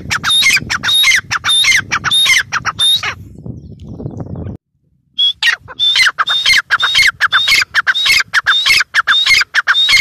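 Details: Female grey francolin (teetar) giving loud, grating, squeaky calls in rapid runs with a whistled overtone, broken by a quiet pause of low rumble and a brief silence before the harsh series resumes at about two notes per second.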